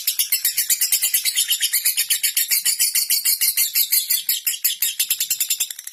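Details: Lovebird ngekek, the long chatter used to provoke competing birds: a shrill, scratchy, pulsing chatter of about seven notes per second, strong and unbroken, tailing off slightly at the end.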